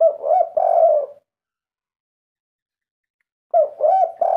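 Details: Zebra dove kept by its owner, 'kuk 3' song style: a short coo pair followed by a long purring trill, a long silence, then the same phrase starting again.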